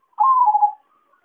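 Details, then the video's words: Zebra dove lure call for trapping birds. One compact phrase opens with a steady hooting note, then breaks into quick stuttering pulses that fade downward in about half a second. "suara pancingan dan suara pikat perkutut paling ampuh"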